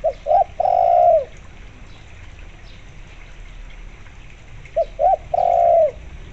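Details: A spotted dove (tekukur) gives two mellow cooing phrases about five seconds apart, each two short notes then a long drawn-out coo, over faint background hiss; played with local zebra dove (perkutut) song to lure doves into answering.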